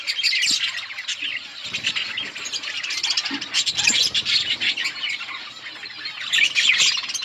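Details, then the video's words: Outdoor budgerigar colony during feeding: busy, overlapping chirps and harsh squawks from numerous birds, rising in loudness near the end, with faint wing flutters. "Budgies parrot eating and chirping sounds budgies birds in budgies outdoor colony"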